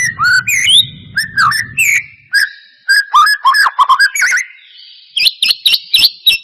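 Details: White-rumped shama song played to provoke a reluctant bird into singing: clear whistles and quick downslurred notes, rapid chattering bursts, then high repeated upswept notes after a short pause; faint low hum early on.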